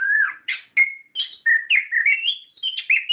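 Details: Orange-headed thrush singing a lure song meant to provoke captive birds, described as gacor and ngerol. Clear whistled phrases slide and warble between mid and high pitch in quick, varied bursts with short gaps.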